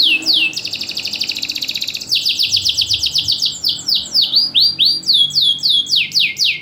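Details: Caged champion canary singing loudly with short gaps, meant to stir idle canaries and to serve as a tutor: falling whistled sweeps, a fast rattling trill, then more repeated descending notes in quick succession.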